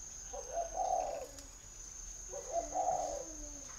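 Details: A caged spotted dove at a northern Vietnamese dove garden in Ba Vì, Hanoi, utters two low soft coo phrases about two seconds apart, short rising note into a fuller wavering coo, with a constant thin whine underneath.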